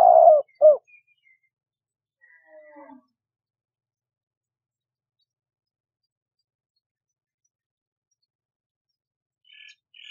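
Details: Dove giving two short, loud, low coos at the start, then near silence with only faint, scattered higher sounds afterward.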